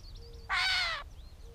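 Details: Gray catbird in Bowdoinham, Maine, 16 May 2020, uttering one loud, nasal, cat-like mew lasting about half a second, rich in overtones, while thin whistles from other birds sound faintly behind it.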